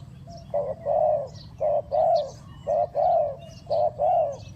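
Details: Fast cooing of a spotted dove used as a decoy in bird trapping: steady low coos alternating short and long, about one per second, with faint high chirps in the background.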